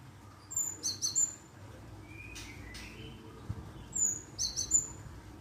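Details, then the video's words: Java sparrow lure call meant to draw a reply: two clusters of thin, high chipping notes, quick and sharp, separated by a pause of about three seconds, over quiet background hiss. "Pancingan burung glatik"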